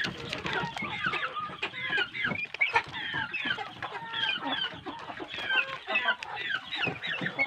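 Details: Many large chicks of a farm-raised chicken flock, fed good feed, peeping together in a dense chorus of short, bright, high chirps that overlap continuously, some rising or falling, with occasional lower clucks.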